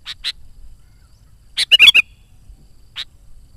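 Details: Sooty-headed bulbul singing vigorously, used as a lure to call wild bulbuls and prompt trapping birds: a quick bubbly gurgling phrase of four notes between short scattered chips, quiet background.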